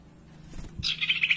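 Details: Spotted owlet sound used as a lure for caged birds that have stopped singing: a rapid, raspy, pulsing chatter starts suddenly after soft low thumps.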